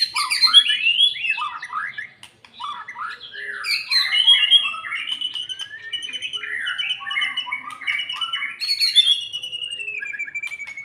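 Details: White-rumped shama after its moult, gradually raised into fighting mood; nearly eleven seconds of rapid, varied song, chains of downslurred whistles and chattering notes with a short pause near two seconds, ending in a long falling whistle.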